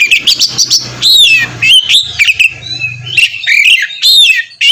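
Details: Oriental magpie-robin singing loudly and continuously ('ngeplong') to rile other magpie-robins: bright whistled slurs and quick chirps tumbling one after another, with a low steady hum in the background.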